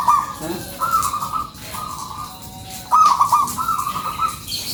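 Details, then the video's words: Local zebra dove singing actively as a lure: several short, bright, trilled coo phrases at a steady high pitch, broken by a quiet gap, then resuming with rippling notes over light background hiss. "SUARA PANCINGAN PERKUTUT LOKAL GACORRR"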